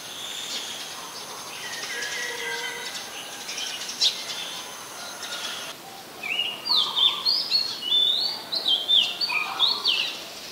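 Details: Singing Oriental magpie-robin recorded with a Nikon P1000 on 14 October 2021 in Ubon Ratchathani, Thailand: faint background chatter at first, then bright, rapid whistled notes with steep slurs tumbling out in a lively string.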